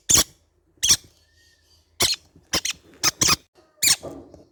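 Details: Baby green-cheeked conure parrots making loud, raspy screeches, singles and doubles at irregular intervals, with faint room noise between calls.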